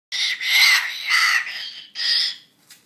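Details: A female-named triton cockatoo, happy and emotional after a shower, gives loud harsh screeches in three long bursts, the last rising, then quiet.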